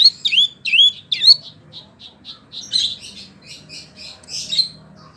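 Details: Wambi singing, offered as tutor material for oriental magpie-robins and other cage birds: a few loud rising whistles, then a run of softer clipped chirps at an uneven pace.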